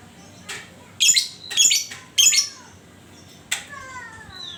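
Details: Lovebird ngekek chatter played to prompt other lovebirds to sing: three harsh, buzzy high bursts about half a second apart, then a pause and one more burst, with a faint whistled note in the background.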